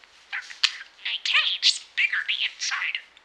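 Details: A pet budgie (parakeet) talking, paraphrasing doctors and also speaking Finnish and German. It chatters in quick, high, warbling, speech-like bursts with rapid word-like phrases and brief pauses in a quiet room.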